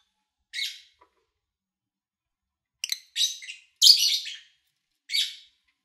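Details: Lovebird chirps captured in early August 2019 during a quiet stretch; a single scratchy chirp, a long silence, then a short series of harsh, buzzy notes, fairly soft overall.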